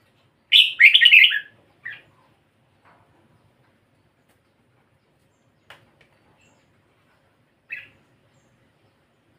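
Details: Red-whiskered bulbul with a pied head, kept as a cage bird, giving one short warbled phrase followed by a few brief, faint chirps spaced over several seconds of quiet.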